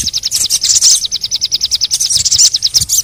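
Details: High, rapid trill from a crimson sunbird, played to prompt lazy birds into song: a long string of evenly spaced thin ticking notes, roughly eight per second, with brief bursts of sharper chirps near the end.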